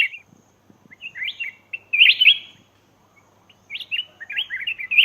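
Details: Lure call of a black-crested bulbul recorded in Laos: chattering rising notes building into a loud looping whistled phrase, a pause, then another tumbling series of bright notes.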